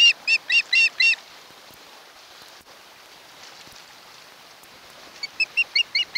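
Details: An osprey at a nest on Kent Island, Maryland, home to a mated pair, gives two quick runs of high, whistled chirps, about four per second, around midnight on 1–2 August 2018, separated by a few seconds of quiet background hiss.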